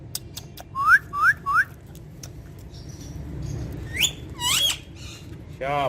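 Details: Rose-ringed parakeet that talks in Urdu or Hindi gives three sharp upward-sliding chirps in a row, later a few brighter squeaky notes and a buzzy burst, against low steady hum.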